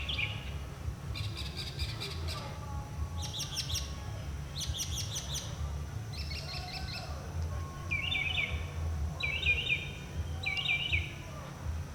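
A Northern Mockingbird sings a run of varied phrases, each repeated several times before switching: buzzy rattled bursts, then clear downslurred whistles, over a steady low rumble.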